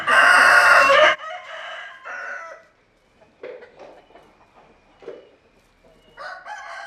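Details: A loud, harsh rooster crow of about one second, followed by softer crow fragments and distant clucks and calls from other chickens.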